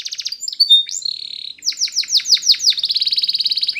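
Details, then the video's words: Spanish Timbrado canary training song, loud and close: short high chirps lead into a smooth whistled note, then a run of rapid descending sweeps ending in a fast metallic trill. "Timbrado Canary's Most Powerful Song For Training"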